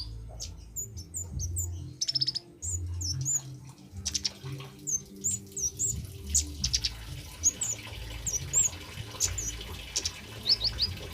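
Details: A male orange-headed thrush sings in cabe-cabean, bunga api and ngalas garing styles, used as a lure for training birds. Short, sharp, high chirps come in scattered bursts, some in quick doublets and triplets, over steady low water-like rumbling.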